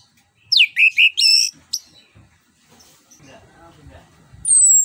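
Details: Orange-headed thrush lure song meant to set a silent bird singing. Several quick looping whistled phrases, then faint mixed background noise, closing with a long thin high whistle.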